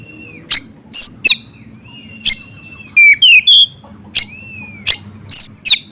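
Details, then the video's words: Bar-winged prinia, locally ciblek gunung, in a track joined with oriental magpie-robin song to provoke other birds: drawn-out thin whistles alternating with sharp ticks and a burst of three loud slurred notes. "SUARA BURUNG CIBLEK GUNUNG DI SAMBUNG SUARA KACER"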